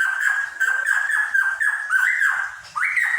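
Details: Cucak pantai, endemic to Papua, giving a loud continuous song of rapidly repeated downslurred notes, about five per second, then a rising whistled phrase at the end.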